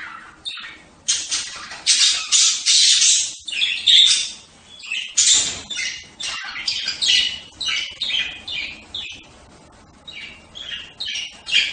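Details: Budgerigars calling in a steady run of harsh, scratchy squawks and buzzy chirps, bursts crowding one after another with brief gaps, high-pitched and loud throughout.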